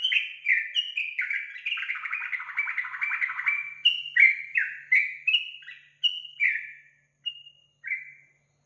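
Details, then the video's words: Song of a yellow-vented bulbul used as a lure so a kept bird starts singing: a dense, chattering warble of overlapping notes gives way to clear, separate, gurgling whistled phrases that slow and thin out toward the end. "Pancingan Trucukan agar Trucukan cepat Bunyi dan Gacor"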